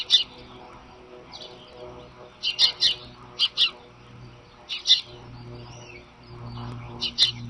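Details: Morning at the Sidney bald eagle nest, March 25, 2011, by nest camera: sharp, high piping notes given in quick pairs and triplets at uneven intervals, with a low hum underneath and softer calls from other birds.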